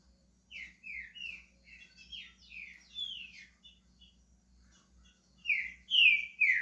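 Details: Green-winged saltator, a pet bird beginning to sing, gives a run of short whistled notes falling in pitch, soft and hesitant at first, then louder slurred phrases at the end.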